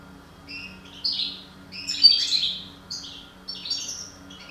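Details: European goldfinch, parva subspecies, one of a breeding couple, delivering lively tinkling twitters and buzzy rising notes in quick clusters, a faint electrical hum below.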